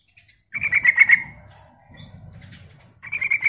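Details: Yellow-vented bulbul (trucuk) in a fast 'ropel' singing style, used as a lure recording: a short burst of rapid pulsed notes, then a second burst near the end, with a low rumble between.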